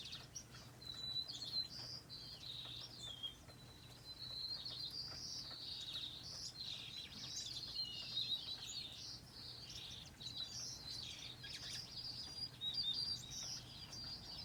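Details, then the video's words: Several finches twitter constantly with high, quick chirps and brief trilled phrases that overlap throughout, set against a faint low background hum. "Songbird Finches singing"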